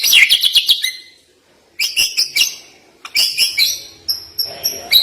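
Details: White-rumped shama with sharp, fast song fills. Rapid bursts of high, clipped chattering notes come in three phrases separated by short pauses, and the final phrase ends in thin sustained whistles.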